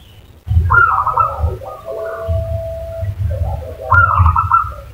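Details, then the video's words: Zebra dove used as a lure call, giving soft, rolling coos in stepped, bubbling phrases that rise and fall over a steady low rumble of background noise. "pancingan perkutut 5 detik langsung nyaut"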